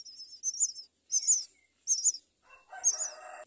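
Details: Four myna chicks raised at the nest; three shrill squeaky bursts spaced about half a second apart, then a lower, rougher harsh note mixed with a final high squeak.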